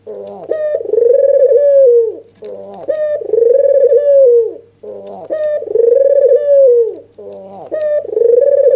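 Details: Agitated, nodding red-eyed albino white dove giving its provoking call: four similar phrases, each a brief upward note followed by a long rolling coo that sags at the end, about every two seconds, with a faint background hum.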